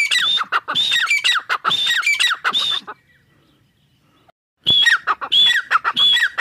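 A grey francolin gives loud, harsh, repeated ringing calls with rising whistled notes, in two bursts separated by a short silence.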